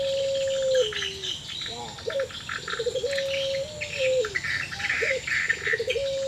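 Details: Barbary dove of the puter pelung type calling back and forth, an unusual voice said to show sadness or breeding condition: drawn-out flat coos that bend downward, broken by short clipped notes, with high insect and bird chatter behind.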